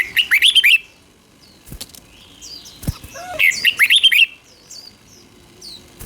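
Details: Caged red-whiskered bulbul, Thailand, singing a southern master phrase to excite birds and teach chicks: two rolling phrases of quick liquid whistles, a soft tap or knock between them.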